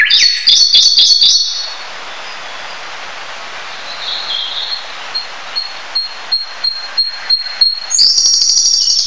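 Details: Siberian blue robin song: a loud, fast, high rattling trill, then a series of thin, high ticking notes spaced under a second apart that lead into another rapid trill, over a steady background hiss.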